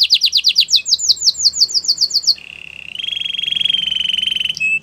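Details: Canary singing as a training song for other canaries: quick run of repeated descending whistled notes, then a lower sustained rolling trill and a long steady high tone.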